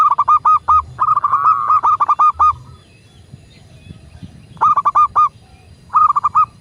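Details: Local zebra dove cooing, recorded as a prompt to get other doves singing: bursts of four to six quick, bubbling notes at steady pitch, separated by a pause of about two seconds.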